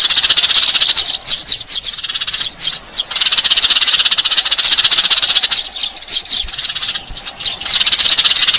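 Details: Lure recording of Eurasian tree sparrows: many birds chirping at once in a busy, high-pitched twittering mass, with short rapid chirps running together and a slight lull near the middle.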